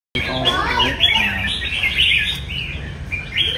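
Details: Red-whiskered Bulbul, apparently a captive bird at a singing competition, sings a busy run of bright, warbled whistles and chirps, rising and falling, with faint voices and a low hum underneath.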